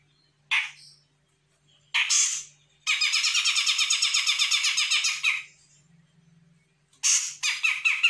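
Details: Grey-cheeked bulbul from Sumatra, a young bird answering a lure call. Short harsh bursts open, then a long run of rapid, rasping, chattering notes lasting about two and a half seconds. More scratchy bursts follow, over a faint low hum.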